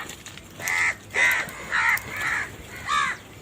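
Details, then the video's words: Crow giving a very loud series of five harsh, hoarse caws, about one every half second, each a short rasping burst over a quiet background. "Very loud voice of Crow sound - All And Huge types of crow sound | Crow Sound Loudly"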